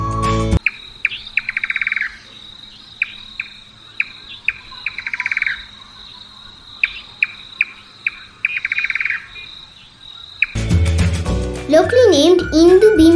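Indian Nightjar giving knocking notes that quicken into short, rapid rattles, like a skipped stone, repeated several times over a steady high insect whine; music follows.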